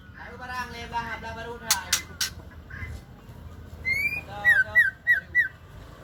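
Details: Female white-rumped shama, Aceh type, known as murai Aceh: human voice and sharp clicks at first, then a rising whistle and four rapid down-slurred whistled notes.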